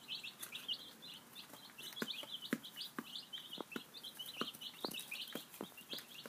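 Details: Chorus of five-day-old baby chicks having breakfast: dense, steady high peeps, many short chirps per second, mixed with sharp pecking taps at the feed.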